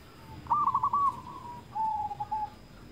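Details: Zebra dove cooing as a lure for quiet doves: a rolling stuttered phrase, then a drawn-out softer coo, with a steady background hiss.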